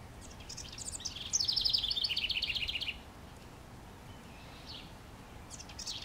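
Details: A House Wren sings from a treetop in NW Regina, Saskatchewan, Canada, on May 25, 2015: a bubbly, rapid, high-pitched trill lasting about a second and a half, with faint chips from other birds around it.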